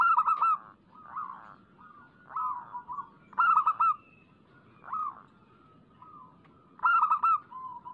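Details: Lure recording of local zebra doves singing: rhythmic stuttering coo phrases, rolling clusters of quick notes ending in longer tones. A new phrase starts roughly every one to two seconds, with quieter overlapping cooing between the louder bursts.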